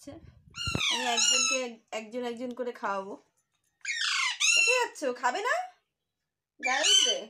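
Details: Baby Alexandrine parakeet giving harsh, harmonic-rich squawking calls in several bursts of about a second each, some falling in pitch, with short silent gaps between groups.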